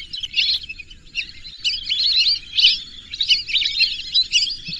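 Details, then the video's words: Whistling ducks with high, wheezy whistles and chirps, first in scattered bursts, then building into a busy overlapping chorus. A quiet low background hum is present. "whistling dack call/sound /বালি হাসের ডাক/শরালী পাখির ডাক"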